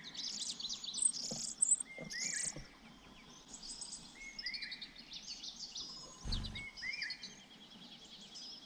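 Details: Nestling sparrows in a pine-top nest being fed by their parents. Repeated sharp, high chattering bursts rise and fall in intensity, with short rising whistles, a steady insect drone, and a brief low thump.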